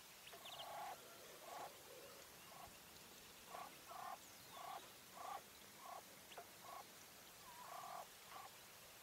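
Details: English White Coturnix quail hen uttering a series of short, buzzy, nasal notes, about ten clipped calls spaced unevenly over nine seconds, with a soft hiss in the background.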